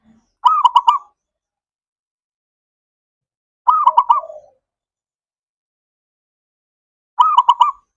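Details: Perkutut, the zebra dove, sings a lure meant to get mute or lazy doves singing: three bright pulsed cooing phrases, each about half a second, spaced roughly three seconds apart in silence.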